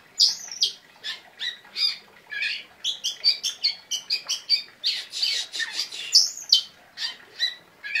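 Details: Oriental magpie-robin in lively full song with sharp bursts of notes: a fast string of varied, bright chirps and whistles, roughly two to three per second, some rising sweeps and buzzy notes mixed in.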